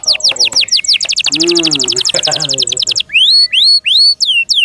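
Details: Loud canary song from a kept bird: rapid falling notes running into a fast, even trill over low warbling undertones, then spaced rising and falling whistled slurs.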